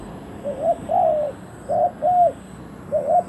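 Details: Decoy spotted dove luring wild birds. It gives mellow hoarse coos in pairs, a brief rising note and then a longer arched note, repeated twice, then a final pair begins.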